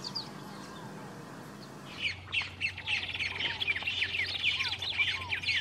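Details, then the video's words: White-rumped Tanager (Cypsnagra hirundinacea) at Campo Maior, Piauí, Brazil, 08/10/2018: after a quiet start, a lively burst of sharp, high chipping notes with lower slurred whistles mixed in, about two per second, over a faint low hum. "Bandoleta * White-rumped Tanager"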